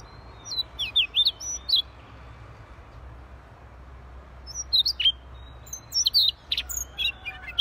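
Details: Siberian rubythroat song (gacor) in two bursts: a quick string of high twisting whistles at the start, a quiet gap, then another run of sharp, varied notes near the end.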